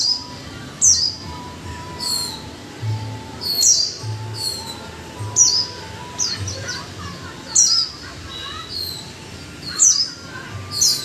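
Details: Japanese white-eye kept in a cage for a month, from a household pair of one male and one female, pouring out a lively chattering twitter of high, piercing slurred notes in clustered bursts roughly every second or two.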